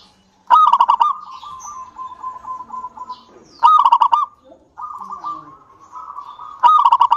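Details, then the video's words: Vigorous local zebra dove whose song serves to encourage other doves to sing. Bright clipped bursts of notes open each phrase, then give way to long, soft, even trills. The pattern repeats roughly every three seconds. "PANCINGAN PERKUTUT LOKAL SUPER GACOR UNTUK PANCINGAN PERKUTUT AGAR CEPAT BUNYI"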